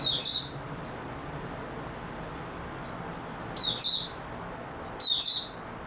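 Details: Oriental white-eye recorded 28 February 2022: three brief, high twittering chirp bursts spaced a few seconds apart, with quiet background hiss between them.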